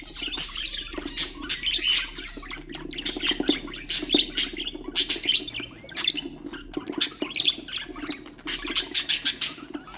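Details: Budgerigar chatter used to stimulate other birds: bursts of buzzy chirps and bright whistled squeaks in quick clusters with brief pauses between, a constant low mechanical hum underneath.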